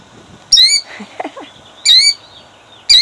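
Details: Killdeer hen defending her eggs, Jackson, New Jersey, 2008, gives three loud, shrill, ringing cries spaced about a second apart, with soft scuffing sounds between them.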